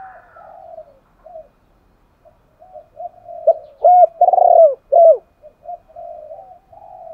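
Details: Decoy spotted dove giving the calling coo known as gáy gọi to lure other doves: quiet, hollow murmuring, then one loud phrase of three or four deep, rounded coos, fading back into soft mutters.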